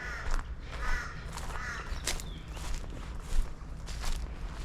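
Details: Torresian crow (Corvus orru) calling from up ahead at a reed-bed wetland dam in spring, giving short, harsh nasal caws, three or four about half a second apart, over low rumbling background noise and footsteps.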